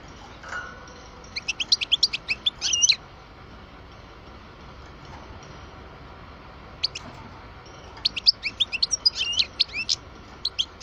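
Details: Captive European goldfinch, twelve years old, of the parva type, delivering two bursts of fast high twittering with jangling notes, separated by a quiet spell with low hum.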